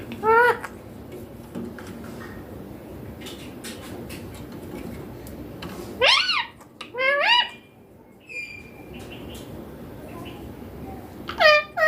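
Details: Green baby Indian ringneck parakeet kept as a pet, talking clearly in Hindi, saying mummy papa: several short wavering voice-like phrases spaced a few seconds apart, with a brief whistle and soft room noise between them.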